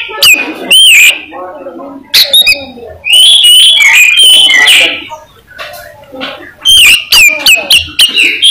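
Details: An albino Oriental magpie-robin sings loud, varied whistled phrases, sweet notes mixed with harsh chips and rising slurs, in bursts a second or two apart.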